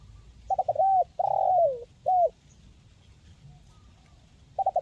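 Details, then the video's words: Spotted dove from Indonesia, recorded to encourage quiet birds to sing: rapid stuttered coos leading into a long, falling coo and a shorter one, silence, then another stuttered burst at the end; low rumbling background. "SUARA BURUNG TEKUKUR MERSIK SANGAT REKOMENDASI UNTUK TERAPI BURUNG MALAS BUNYI"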